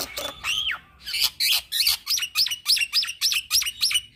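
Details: Young black-winged myna in rolling song, recorded as a tutor and lure for birds in training: a long rising whistle, harsh bursts, then about nine sharp rising notes repeated three times a second.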